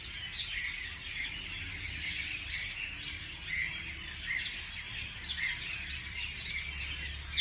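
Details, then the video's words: Morning chorus of many chirping birds with a continuous mix of high twitters and short bright whistles, over a faint low drone. "美丽的早上美丽的鸟的鸣叫beautiful morning beautiful birds chirping sounds calls"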